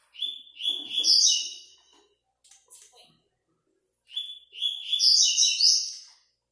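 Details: Double-collared seedeater recorded for an online web singing tournament, fifth stage: two strong phrases roughly four seconds apart, each starting with sharp whistled notes and building into a rapid, bright, buzzy trill, with a few quiet clicks in between.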